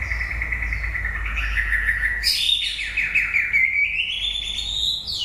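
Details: White-rumped shama song at the end of its breeding season: a long clear whistle gliding slowly downward, then a burst of complex fluty warbled notes, with low background rumble.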